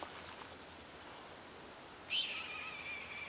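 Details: A red-tailed hawk in flight screeches: after two seconds of hiss, one hoarse, high scream drops in pitch and trails off over about a second. The hawk is said to kill a coyote.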